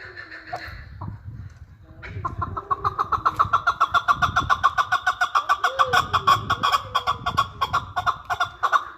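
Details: A chukar partridge recorded in Qabodiyon, Tajikistan, starts with a few scattered notes, then launches into a long, rapid, even chattering of chuck notes, about five a second, over a low rumbling background.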